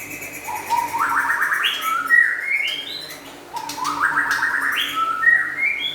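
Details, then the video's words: White-rumped shama, local and forest birds, singing a lively song: clear whistled phrases that climb in quick upward steps, then a high sweeping note. The pattern is given twice, about three seconds apart, over a faint low hum. "Meriah nya Suara Murai Batu LOKAL Dan Hutan"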